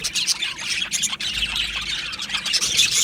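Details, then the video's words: Two male Australian budgerigars give a brief burst of busy, high twittering, with rapid chirps tumbling over one another and a low hum in the background. "2 Male Budgies Birds Sounds | Australian Budgies Birds chirping sounds"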